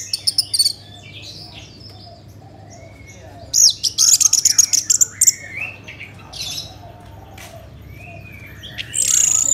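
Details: Orange-headed thrush song used as a lure to make other birds sing: bursts of high, sharp, buzzy notes and short whistles in scattered phrases, with a loud rapid chattering run in the middle and a steady low hum behind.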